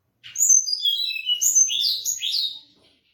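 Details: Mangrove blue flycatcher singing a sweet, fast, descending series of high whistles followed by a warbling rise and fall, the phrase lasting about two and a half seconds, no other sounds.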